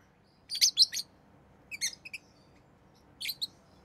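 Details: Rosy-faced lovebird, a tame pet bird of an orange-faced green or red-headed green colour form, giving three bursts of sharp, high, shrill chirps, each a quick cluster of notes, spaced about a second apart over quiet background.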